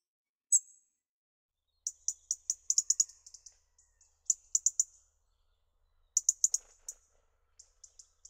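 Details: A European robin in a garden in March to April 2013 sings thin, very high notes in quick bursts of five to eight, pausing between phrases; nothing else is heard.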